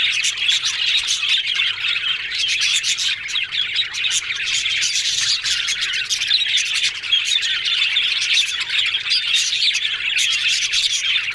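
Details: Happy yellow budgies warble and squawk together in a long, steady chorus of twittering chirps, with scratchy clicks scattered throughout.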